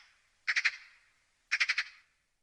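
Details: Magpie giving harsh, dry rattling chatters, two bursts of three to four rapid grating notes about a second apart, in a quiet setting.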